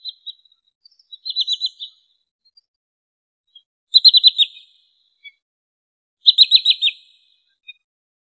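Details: A wood sandpiper gives quick, high, sharp bursts of four or five clipped notes, a 'chiff-iff-iff' phrase repeated every two to three seconds. The recording is used as a hunting lure.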